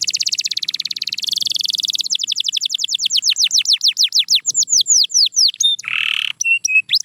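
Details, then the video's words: Canary singing a rapid buzzy trill, then a string of descending whistled notes gradually slowing, a short harsh burst, and a few closing high chirps. "Watch Silent Canaries Start Singing Again – Magical Sound Inside!"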